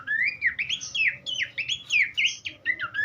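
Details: Horsfield's babbler in a rich, varied song used to tutor cage birds: loud looping whistles that swoop down and up, strung into quick phrases of about half a second each with no gaps.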